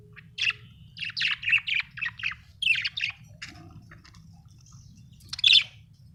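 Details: Pet budgerigars at home giving a quick series of grating chirps, about four per second, then sparser notes and one loud squawk near the end, over a low hum.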